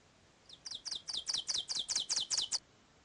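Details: Ovenbird singing in mature closed-canopy Ozark forest during the spring dawn chorus: about nine high, ringing, accelerating two-note 'teacher' phrases, swelling louder over two seconds against a quiet background; loud song carrying several hundred metres.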